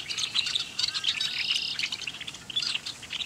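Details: Flock of red-winged blackbirds at Bitter Lake NWR, Roswell, New Mexico, chattering: a dense, continuous mix of high, squeaky chips, whistles and short buzzy notes overlapping throughout.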